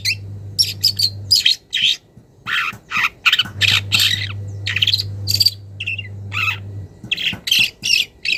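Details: Young wild long-tailed shrike calling a rival and starting to unload mimicked notes: loud harsh grating squawks and chattering bursts, a few clearer whistled chirps, with a steady low hum underneath in stretches.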